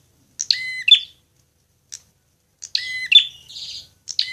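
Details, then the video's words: Fighting prinia recorded for bird training: two bursts of hard, ringing notes, each ending in a buzzy rattle, separated by a near-silent gap with one soft click. "masteran prenjak agar cepat gacor"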